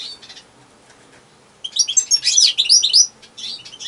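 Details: Lone European goldfinch singing a rapid, tinkling run of high twittered and trilled notes for about a second and a half, with softer chirps before and after against a quiet background.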